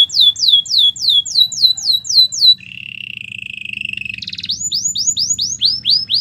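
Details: Belgian canary singing a training song: repeated descending swept chirps at a brisk pace, then a low flat buzzing roll, then bright upward-hooked notes repeated quickly, over a faint low background hum.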